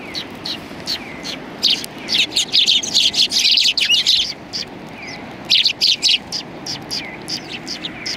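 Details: Several sparrows on a bench at a Tenmangu shrine, 21 January 2020, give bursts of short, sharp, high chirps, densely overlapping in the middle and thinning toward the end, over a faint low hum.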